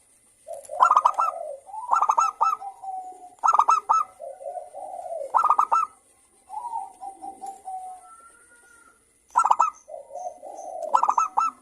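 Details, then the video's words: Several local zebra doves answering one another, a recording meant to coax other doves into singing: loud bursts of quick, stuttering coos alternate with softer, smoother low cooing, with pauses between phrases. "Perkutut Lokal Gacor Suara Rame saling Bersahutan Pancingan Merangsang untuk Cepat BUNYI"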